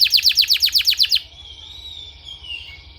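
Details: Canary therapy song for training canaries: a loud, regular burst of about eight rapid repeated notes, followed by soft thin whistles and a steady high background tone.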